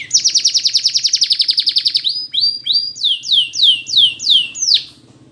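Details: Rapid metallic trill lasting about two seconds from a Spanish Timbrado canary, followed by evenly spaced downward-curving whistles, a song meant for training.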